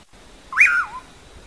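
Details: Pauraque, called bacurau, giving one "amanhã eu vou" song phrase: a sharp upward-sweeping whistle that peaks brightly, then drops in a smooth descending glide, clean against quiet hiss.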